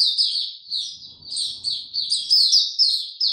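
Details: White-eye singing on 29 April 2022, no health supplements given: clean, continuous high-pitched twittering warble with rapid chirps and no other clear sounds.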